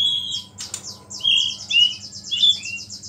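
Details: Vigorous white-rumped shama song with a small-bird fill, said to rouse other shamas; short clear whistles dipping and rising, separated by a rapid rattling trill high overhead.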